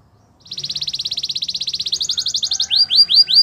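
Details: Canary singing to woo other canaries, training song: a long rapid trill that steps up in pitch, ending in three loud swooping whistles.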